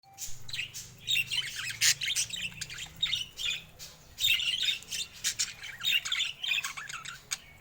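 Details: Colorful pet budgerigars of rare mutations, including babies, chattering together: dense, busy warbling with squawks and chirps in overlapping bursts, continuous throughout with no music or voice.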